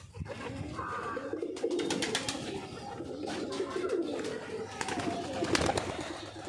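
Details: Pigeons in the morning, expecting food from their arriving keeper; low rolling coos run throughout, broken by sharp clattering knocks and flaps, with a voice in the background.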